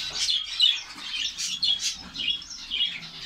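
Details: Finch colony kept in Saudi Arabia: a busy overlapping chorus of high squeaky chirps and short twitters rising and falling in waves.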